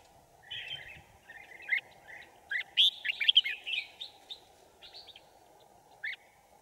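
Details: Red-whiskered bulbul singing as a decoy to lure wild birds into a trap on 5 January 2018; soft warbling opens, then loud looping whistles and sharp notes, trailing off to a single clear phrase near the end, low hum throughout.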